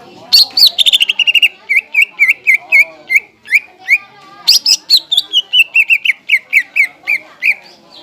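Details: Greater green leafbird song used as a lure to excite and train other leafbirds: bursts of sharp high chirps, then a long series of clear whistled, down-slurred notes repeated about three per second, in two similar phrases.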